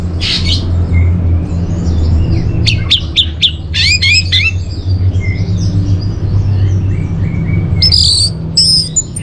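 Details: Orange-headed thrush, recorded as a lure and master song for caged birds: scattered high whistles, then a dense burst of sharp rising notes, a pause, and a final bright phrase, with low hum throughout.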